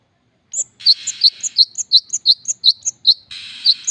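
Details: Long-tailed shrike singing: rapid series of sharp, high chirped notes alternating between two pitches, roughly a dozen in three seconds, with harsh buzzy rasping bursts at the start and near the end.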